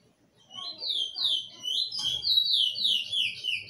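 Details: Bullfinch singing: a run of bright whistled and slurred notes, falling and rising in quick succession, about three per second and growing louder through the phrase, with faint low background rumble.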